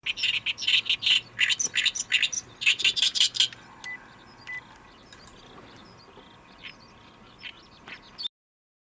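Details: Oriental reed warbler, a summer migrant newly arrived for the season, singing noisily: harsh, grating, chattering notes in rapid bursts for about three seconds, then fading to scattered quieter notes. Faint steady hum beneath.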